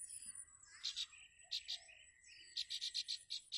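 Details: Bar-winged prinia mother at her nest, crying for her chick: short, sharp, high chipping notes in brief clusters, quickening into a rapid repeated series near the end, over a steady thin high-pitched whine.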